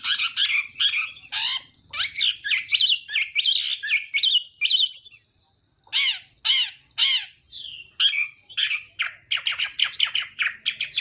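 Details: Chinese hwamei singing in the morning, kept to train its voice and provoke singing: loud, varied phrases of rich whistled and slurred notes between 1 and 8k, in bursts with a brief pause near five seconds, then fast repeated notes.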